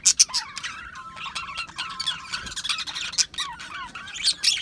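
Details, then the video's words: Australian budgies in mixed chatter: thin whistled notes, sliding squeaks and sharp high chirps overlapping, with a faint sustained whistle running through the middle. "Budgies Chirping Sounds"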